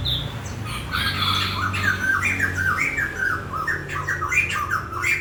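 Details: Bird song in a lively stream of varied warbled and squawky notes, rising and falling in mid-to-high pitch, delivered almost without pause over a low background hum.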